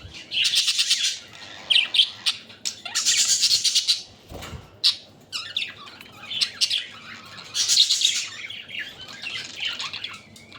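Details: Pet budgerigars feeding on water spinach in Katlapur, Savar, Dhaka, chatter in dense bursts of high, rapid warbling and chirping, several birds calling together with short pauses between bursts.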